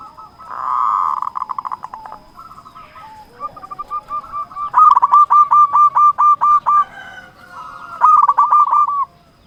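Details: Local Indonesian zebra dove singing actively, used to call and provoke rivals: a long buzzy note near one pitch, then fast staccato cooing trills, two runs of rapid evenly spaced notes with short pauses.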